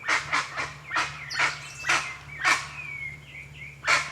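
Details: Harsh honking calls of a wild guan, several quick ones then slower single bursts, above a steady low droning hum and a faint whistled trill from another bird.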